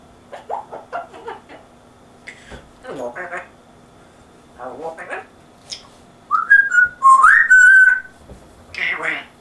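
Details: Pet African grey parrot with an English accent imitating household speech. It gives short mumbled word-like phrases, then a run of clear rising and falling whistles, then more speech-like sounds, in a quiet room.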